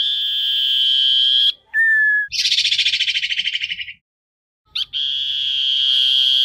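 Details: Common iora decoy song for luring and calling the flock: a long sustained clear whistle, a brief lower whistle, a grating buzzy trill, then the long steady whistle resumes.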